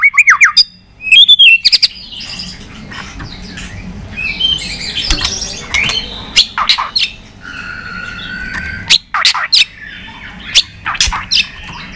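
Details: White-rumped shama giving fighting song with tail flicking and tacking, long-voiced singing: high whistled phrases mixed with harsh, sharp broadband bursts, uneven pauses between bursts, quiet low background hum.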